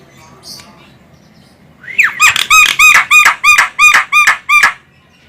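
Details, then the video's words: Female Javan myna, an Indonesian bird, calling to lure other birds: after a faint early note, a rising squeal leads into about nine harsh, ringing, harmonic squawks repeated roughly three times a second. "suara burung jalak kebo cocok untuk Pikat burung"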